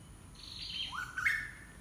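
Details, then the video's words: An unidentified wild bird gives a single clear whistle: a high note that drops, then a second note sliding upward into a short bright flourish, all within under two seconds over quiet background. "SUARA BURUNG APA INI ?"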